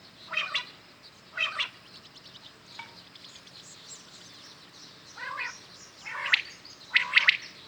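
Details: Common quails calling in the morning: pairs of short bright triple-note phrases, a quiet pause, then more phrases, some from a farther bird.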